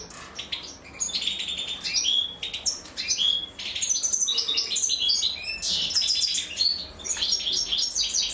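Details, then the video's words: Goldfinch nestlings begging while their mother feeds them: dense, high, scratchy chirping with stacked notes, nearly continuous, with brief dips and sharp clicks. "أنثى الحسون وهي تطعم فراخها"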